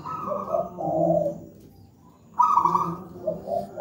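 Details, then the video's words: Local wild-type zebra dove with a thick, heavy voice: a rolling coo phrase, a near-silent gap of about a second, then a loud trilled coo starts again, over a low background hum. "Masteran burung perkutut manggung gacor"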